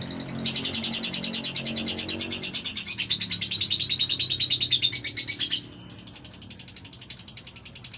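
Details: Berina lovebird kept singly, pouring out a loud rapid rattling chatter of high buzzy pulses for about five seconds, then continuing more softly at the same quick, even pace.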